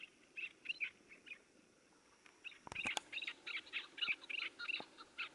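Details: A tethered partridge used in partridge hunting gives quick bursts of harsh, chattering notes, several a second, with a few sharp clicks partway through.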